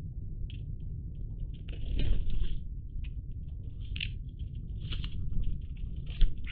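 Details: Iberian magpies, dated 03-10-20, calling in irregular clusters of short rasping notes with a few louder harsh calls standing out, against a continuous low-pitched rumble.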